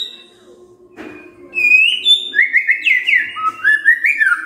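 A white-rumped shama sings loud, rich whistled phrases that slur up and down, a new phrase every half second or so, over a faint low indoor hum.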